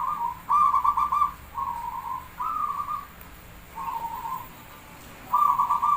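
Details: Javanese zebra dove (perkutut Jawa) singing as a lure recording: a series of five or six rolling, trilled cooing phrases, each under a second, with short pauses between them, over a faint steady background hiss.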